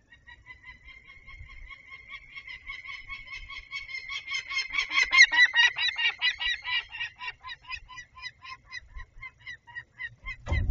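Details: Peregrine falcon screaming during a buzzard's short visit, Barycz Valley, Poland, 11 February 2021; a long train of rapid harsh kek notes, about two per second building into a dense shrill chatter, then fading.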